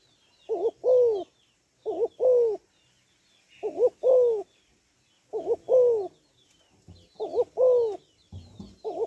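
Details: Spotted dove hen cooing to excite males, a two-part pattern of a quick wavering double note then a drawn-out descending coo, repeated five times at steady intervals; faint twittering birds in the background.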